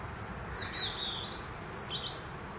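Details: Blue-and-white flycatcher song recorded at Konashidaira, Kamikochi, Japan, in June 2023: loud, high whistled notes, a long gently falling note followed by a sharp rising-then-falling slur and a short closing note, against a steady rushing hiss.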